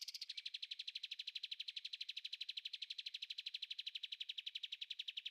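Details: Bulbul (kapas tembak) giving a clear song for other caged birds to learn; a long, fast mechanical trill of high pulsed notes, about four per second, steady throughout with no other sounds.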